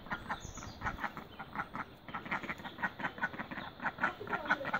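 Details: Mallard duck together with newborn ducklings, giving a steady series of short, raspy quacks in quick uneven bursts, with a brief pause midway and faint low background noise.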